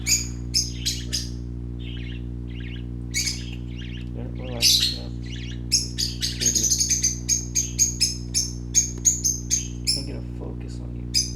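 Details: Playing baby parakeets, brightly coloured, chatter in a dense stream of shrill chirps and scratchy squawks, building into rapid strings of near-identical notes toward the end, with a constant low electrical hum beneath.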